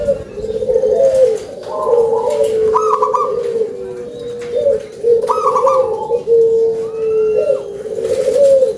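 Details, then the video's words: Local zebra dove with a big voice in full song: repeated rolling low coos with brief higher trilled notes woven between, sung almost continuously. "PERKUTUT LOKAL SUARA BESAR"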